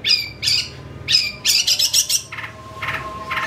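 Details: Long-tailed shrike singing constantly with full varied phrasing, played as a lure to provoke an excited response: rough, squawky notes in short bursts, a quick rasping series in the middle, then softer harsh calls.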